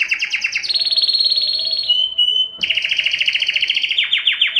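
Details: Canary singing to stimulate females for mating: fast trilled phrases around mid-high pitch, a sustained buzzy roll, a brief pure whistle, then rapid repeated notes and descending chirps.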